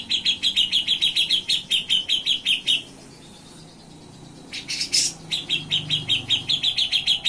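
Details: Black-headed bulbul in vigorous song: runs of rapid trilled chirps, a short quiet gap, a harsh high burst, then further fast rhythmic trilling phrases.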